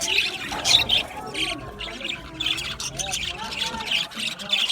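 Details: Aviary budgerigars chattering, with high rasping chirps in quick bursts above a softer warbling of wavering, lower tones that rise and fall.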